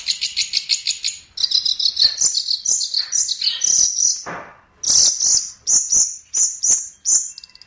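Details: Long-tailed shrike training master song: quick series of sharp high chips, then loud, shrill two-part notes repeated in short bursts with gaps between them.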